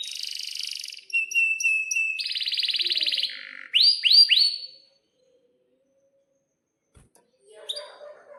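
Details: Canary in breeding condition giving long rolling song for young canaries learning to sing: a buzzy trill, spaced high notes, a fast rattling roll and upswept whistles, then near silence with faint rustling.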